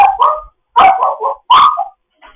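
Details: Morning chat from a foster grey parrot: three loud, rough, voice-like squawks in quick succession, each a burst of mixed tones, then a faint trailing note.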